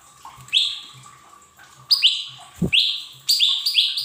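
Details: Lesser green leafbird song meant to stimulate untrained caged birds to sing soon: bright whistles rising then held, spaced at first, then a rapid run of three quick notes, with one dull low knock and a soft steady hum.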